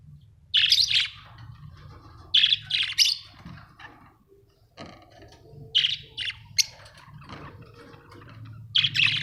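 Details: Australian budgie parrots chirping: short bright chirps in clusters, separated by pauses of one to three seconds, over a low background hum.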